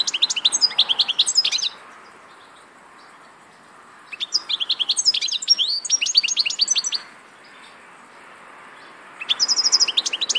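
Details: Three bursts of European goldfinch song separated by pauses of a few seconds, each a lively, tinkling jumble of high chirps and short trills.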